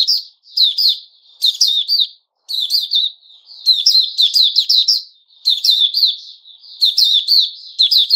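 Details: White-rumped shama, recorded 29 August 2021, sings rapid clusters of harsh and whistled notes in quick succession, with short gaps between phrases and faint soft notes in between.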